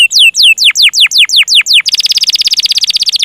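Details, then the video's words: Singing canary used as a master tutor recording, loud and close: a series of descending whistled sweeps about four per second, then a fast even trill of rolled notes, the long roll. "Masteran burung kenari gacor ngerol panjang"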